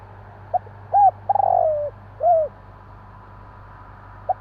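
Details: Javan spotted dove calling after dark: a short note, a rounded coo, a rough stuttering coo sliding downward, and another arched coo, then a faint note; constant low hum.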